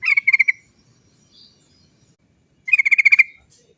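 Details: Rolling "cok cok cok" trill of a Sooty-headed bulbul, used as a lure to make others sing: two fast, even trilled bursts about two seconds apart.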